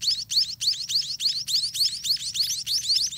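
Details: Hungry spotted munia nestlings begging: loud, evenly spaced high chirps, each a rising squeaky sweep, about three per second in a steady rhythm.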